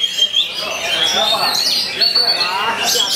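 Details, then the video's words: Magpie-robin delivering murai batu imitation against rival birds: a short burst of thin sustained whistles and scratchy twitters over a noisy, crowded background. "TEMBAKAN SEMI MURAI BATU, TANGKIS LAWAN KELUARKAN MATERI ROLL PANJANG"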